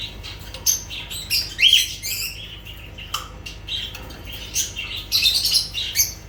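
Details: Lovebirds calling with shrill chirps and squeaks, one loud wavering whistle early on, then mixed sharp notes and a quick burst of twitters near the end.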